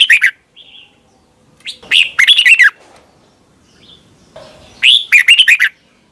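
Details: Red-whiskered bulbul song from Thailand, used to teach caged birds: three bursts of lively, slurred whistled notes with short gaps between, plus a soft high whistle early on.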